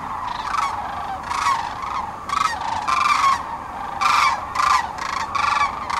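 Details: Sandhill cranes gathered in mid-March 2009 on the Platte River in central Nebraska during their spring stopover before migrating north. Loud, rolling, trumpeting calls come in bursts about every half second to second over a steady chorus of many distant cranes.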